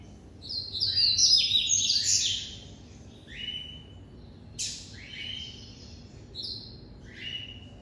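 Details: Double-collared seedeater (coleiro), a breeder's bird, singing in the classic song style (canto clássico): a rapid burst of high, sweeping whistled notes for about two seconds, then spaced, clear downslurred whistles repeated every second or so, over a faint low background hum.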